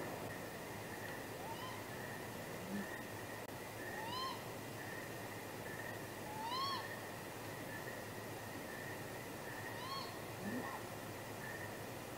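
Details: Courting great grey owls near their nest at midnight, 23 April 2019, with possible mating. Arched, whistled cries come every two to three seconds, with faint low notes between them, over a constant hum.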